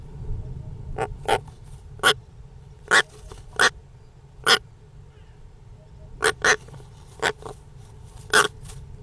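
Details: European roller calling with brief, clipped, rasping notes, single or paired, spaced irregularly over nine seconds, above a steady low rumble.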